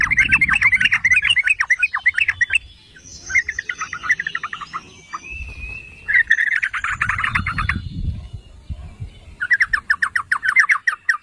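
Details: Yellow-vented bulbul singing as a lure to set off other bulbuls: bursts of rapid, stuttering bubbly notes separated by short quieter gaps, with a few clear whistled tones and low background thumps.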